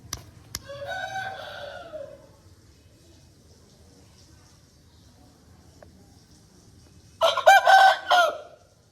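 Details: A long-tailed Aseel rooster gives a hoarse crow with a drawn-out ending, then after a pause a louder, broken crow in several harsh bursts.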